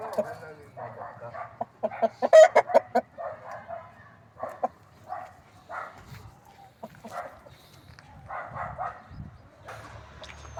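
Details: Desi hens clucking in irregular bursts of short, throaty notes, some grouped in quick runs, with louder sharp calls around the two-second mark and quieter stretches between.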